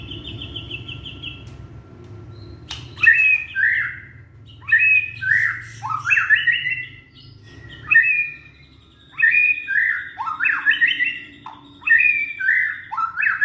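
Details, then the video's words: Indonesian young white-rumped shama singing to prompt other shamas that have gone quiet: a high steady note, then a click, then a run of repeated harsh, chattering phrases that swoop up and down, in bursts about every two seconds. "Murai batu muda tunjukan pesona,cocok buat pancingan murai macet bunyi"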